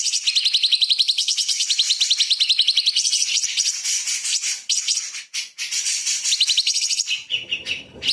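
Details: Light-vented bulbul song used to train magpie-robins: a continuous rapid trill of bright chattering notes for about seven seconds, then a brief rougher, lower noisy passage at the end.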